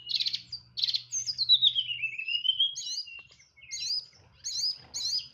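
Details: Hill blue flycatcher, a kept songbird, in nyeklek style with full fills: two rasping bursts, a long descending-then-level whistle, then short high twisting phrases repeated about every half second; a faint low hum underneath.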